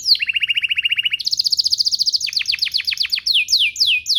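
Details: Canary singing to spur other canaries into song: a quick even trill, a higher rolling tour, a series of sharply falling whistles, then drawn-out descending slurs.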